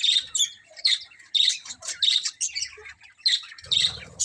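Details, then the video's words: Many budgies in a colony chattering: rapid bursts of shrill chirps and squeaky warbled notes from several birds, and a low rumbling noise near the end. "Cute Colourful Budgies Chirping Sounds"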